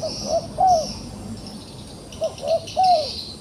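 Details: Cooing from a trapped wild dove that still dares to fight: two phrases, each with quick short notes climbing into a long falling coo, over faint high-pitched chirping and hiss outdoors.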